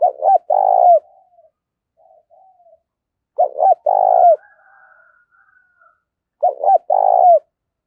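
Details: Spotted dove acting as a decoy, giving a fighting call meant to provoke rivals: three clear phrases of low coos, each a quick stutter then a longer, falling coo, separated by near silence.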